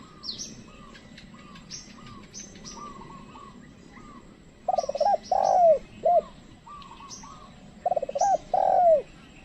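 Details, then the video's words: Spotted dove used as a trained lure, calling to wild doves that do not come near: paired bursts of deep coos, a quick rising note then a sustained falling coo, among steady high chirping of small birds. "pikat tekukur ajaran memanggil burung liar"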